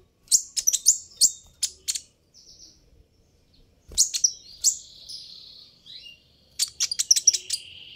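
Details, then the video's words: Sunbird called kolibri ninja in Indonesian, giving a provoking call: quick series of sharp high chirps, a short quiet gap, then more chirps ending in a sustained thin whistle and a closing flurry of rapid notes. "suara ini bisa bikin Kolibri ninja naik pitam"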